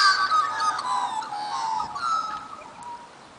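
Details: Australian magpies singing at Dimboola, Victoria, Australia: mellow, warbling, gurgled phrases with rising and falling tones that fade toward the end, with several birds overlapping.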